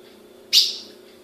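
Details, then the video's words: One crisp, high chip from a captive female ultramarine grosbeak in Brazil, quick attack and short fading tail, set against a steady low hum. "Fêmea de azulão piando"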